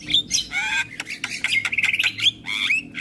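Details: Morning Javan myna song, answered by neighbouring mynas: loud squawking whistles, a rapid rattling trill in the middle, and rising whistled phrases at the end.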